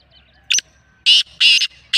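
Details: Black francolin voice: a brief sharp note, then two loud rasping bursts and the start of another, strong and grating, with little background noise.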